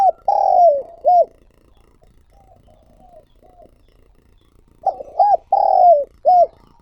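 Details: A trapping decoy spotted dove coos: a phrase ends with a long falling note and a short coo, quiet soft notes follow, then a fresh phrase of two short coos, a drawn-out slide and a last clipped note.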